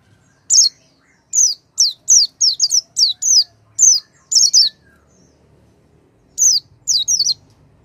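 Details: Oriental white-eye song used as a lure to make a silent white-eye sing: short, very high, downslurred whistled notes in quick bursts of two to four, separated by pauses, over a quiet background.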